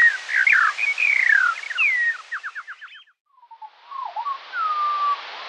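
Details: Skylark song from a morning recording, possibly more than one bird, first at half speed with falling whistles and a rapid stuttered series, then after a short silence at quarter speed, lower and drawn out.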